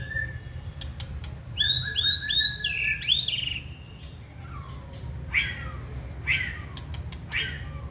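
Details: Caged white-rumped shama singing eagerly when prompted, tail spread: a series of four rising whistled notes repeated rapidly, then ticking clicks and scattered louder chirps and slurred whistles, with low background rumble.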